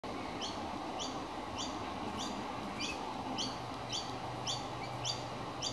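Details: Baby magpie calling out because it is hungry: a fast series of short, high chirps, repeated roughly twice a second, heard over steady outdoor background noise with a low hum.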